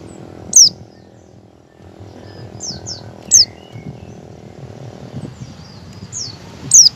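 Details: Learning ngalas song, an oriental white-eye gives ngecal calls used as a lure for other white-eyes: three sharp falling whistles roughly three seconds apart, interspersed with faint soft chirps and low background noise.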